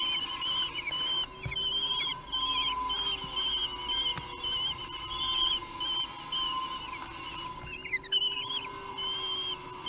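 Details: During a meal on 8 June 2021 in Théding, France, three-week-old common kestrel chicks utter stretches of high, trembling squeals. The calls break off and resume, with a sharper burst of wavering notes near the end and a steady hum underneath.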